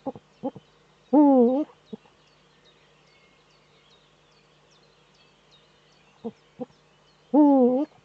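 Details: Male Eurasian eagle-owl in courtship in its nest niche, filmed by webcam in northern Rhineland-Palatinate, Germany, 4 May 2013. Two loud drawn-out harmonic calls about six seconds apart, each with a pitch dip, framed by brief clucking notes.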